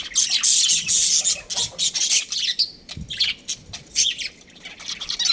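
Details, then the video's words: Budgerigar breeding pair chirping: a loud, harsh chattering burst at the start, then sparser clicks and thin squeaky chirps in irregular rapid groups. "Amazing budgie chirping sounds | budgies breeding pair"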